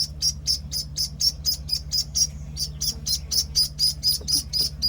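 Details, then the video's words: Loud, rapid, evenly paced high peeps from one-week-old Penciled Call ducklings run almost without a break, about four a second, with a faint low electrical hum. "Penciled Call Ducklings (1 week old)"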